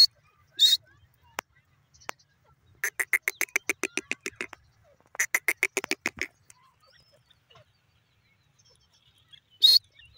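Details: Grey francolin, known locally as dakhni teetar, giving two bursts of rapid, nasal, evenly spaced notes: about fourteen, a pause, then about ten more. Sharp clicks are heard before and after.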